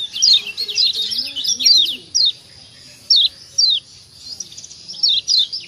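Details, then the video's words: Lombok white-eye (kecial kuning) giving sharp high chirps meant to prompt other birds to answer: a busy run of downslurred notes, then spaced single chirps, with faint low voices in the background. "Ciak ciak Jos Kecial Kuning Ampuh Merangsang Bunyi Jadi Rajin Bunyi 100% Yang Dengar Nyaut"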